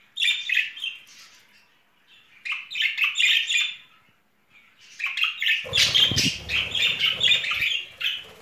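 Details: Pet budgerigar pair showing spring courtship feelings, chattering in fast, dense warbling bursts of chirps and squawks, pausing briefly, then resuming with a low rumbling handling noise underneath.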